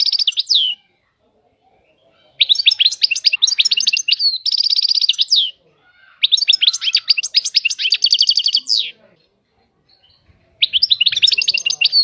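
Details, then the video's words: European goldfinch singing in the batbata style: bright twittering bursts and rapid buzzy trills in several phrases, separated by silent gaps of about two seconds, with a long chattering run in the middle. "طائر الحسون. اجمل الطيور المغردة Goldfinch. The most beautiful songbirds"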